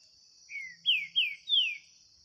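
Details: Green-winged saltator dueling with a bird loose in the woods: one soft falling whistle followed by three louder, swooping downward whistles. A persistent high insect hum continues behind.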